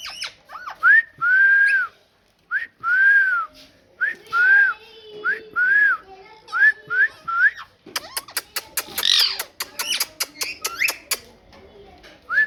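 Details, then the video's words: Talking parrot repeats short arched whistles, each rising then falling, in a steady series, then breaks into rapid clicking and scratchy chatter. "Parrot Talking"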